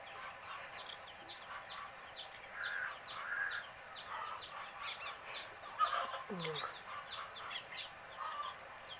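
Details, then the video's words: Group of baby chicks dozing, keeping up a continuous chorus of high falling peeps, some softer and lower. A brief deeper sliding sound appears partway through. "Fun Sleepy "Chicks Chirping" Sound of Gallina Babies"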